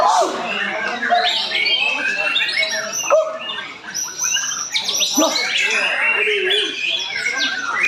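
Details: White-rumped shama (murai batu Medan) singing at a national-class songbird contest in Matraman, with dense varied whistles, trills and sweeping notes from many competing birds overlapping, plus human voices in the background.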